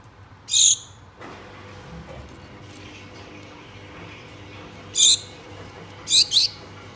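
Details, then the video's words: Gouldian finches, two pets, calling mate: one high piercing call, a long pause, then another single note and a rapid double call near the end, over soft household noise. "GOULDIAN FINCH BIRDS CALLING MATE"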